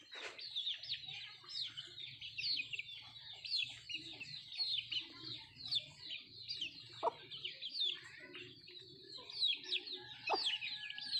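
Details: Nattu kozhi, native country chickens, feeding; a steady stream of high, quick downward chirps from many birds, broken by two sharp pecking clicks and faint low murmuring underneath.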